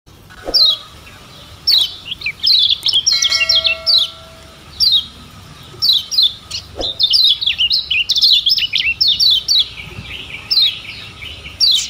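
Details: Lemon-bellied white-eye, the yellow kecial of Lombok, Indonesia, in a tutor recording used to make birds sing: high, rapid twittering phrases of quick down-slurred chirps in bursts, with a brief steady tone partway through.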